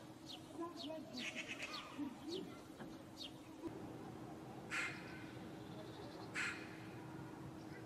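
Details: Eurasian magpie, one of a pair that settled in a courtyard this spring, giving two loud, harsh, rasping calls about a second and a half apart, with small high chirps from other birds before them and a steady low hum.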